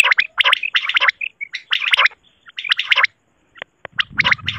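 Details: Common quail from a Pakistani quail-hunting video, tagged as a female's call: rough, rattling bursts of clipped notes in quick clusters, roughly one burst a second, with brief pauses between groups.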